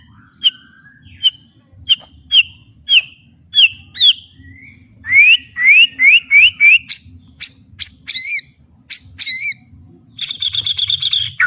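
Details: Caged white-rumped shama singing at full volume, described as a fighter: a run of short sharp whistled notes about every half second, then rising slurred whistles and fast rattling trills, with a low background hum.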